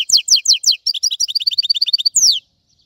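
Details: European goldfinch singing: quick runs of rising, slurred high notes, then a rapid twittering series of short bright chirps, ending in one long downward sweep.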